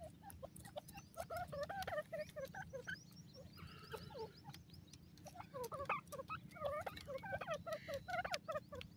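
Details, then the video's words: Dakhni teetar, the grey francolin, recorded at home in Pakistan, gives bursts of chirping, up-curving notes in rapid runs, several overlapping callers, with a brief pause midway and a constant low droning hum. "pk dakhni teetar ke awaaz, pk grey francolin bird sound"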